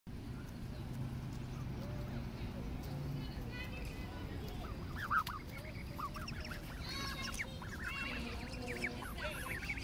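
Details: Several geese wandering close by at a zoo give short nasal honks that overlap in a busy chorus from the midpoint on, over a steady low rumble and faint voices.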